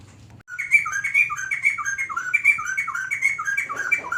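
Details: White-crested laughingthrush pouring out a continuous string of bright, slurred whistles, each note swooping down then up, repeated several times a second for nearly four seconds without a break.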